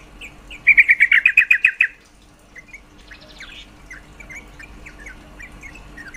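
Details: Female yellow-vented bulbul call said to boost males' mating urge: a single loud burst of about ten rapid chattered notes, followed by quiet scattered chips and a brief faint buzz.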